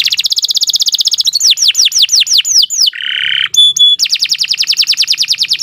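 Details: Captive-bird training recording of canary song: rapid trill of repeated high notes, a series of downward sweeps, a buzzy rasp, two pure whistles, then a fast trill again.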